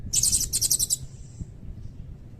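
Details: Blue-crowned hanging parrot singing in cililin style: a rapid, shrill, very high trill of pulsed notes lasting about a second, trailing into a faint thin whistle, over soft low background rumble.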